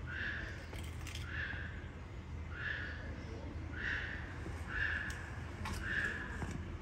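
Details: Yellow-crested (lesser sulphur-crested) cockatoo at Fukuyama City Zoo gives harsh, raspy screeches repeated about once a second.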